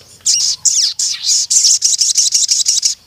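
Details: Ruby-cheeked sunbird (sogon) singing vigorously: a short very high run of hissy notes, then a fast, even train of about a dozen sharp high chips repeated several times a second.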